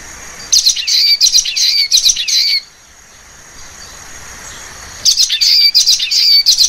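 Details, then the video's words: Common waxbill uttering quick series of twangy, buzzy chirps, a long burst of about ten notes, a pause of over two seconds, then another rapid burst; thin high background tone throughout. "橫斑梅花雀/Common Waxbill"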